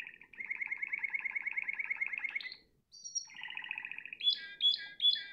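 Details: Canary, identified as a Spanish Timbrado, sings a long, fast metallic trill for over two seconds, then a lower rolling trill and bright, ringing chiming notes.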